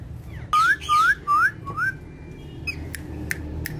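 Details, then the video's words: Talking, dancing pet parrots perched on a charpai: four loud, clear whistles, each sliding upward, spaced roughly half a second apart, then a few faint clicks and a soft short call over a low background hum. "Funny Speaking Parrots On Charpai"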